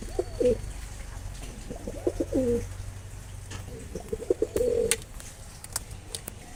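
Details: Two low, stuttering coo phrases from a Mosaldom pigeon, rapid pulses building into a brief rolling swell, with a constant low hum underneath.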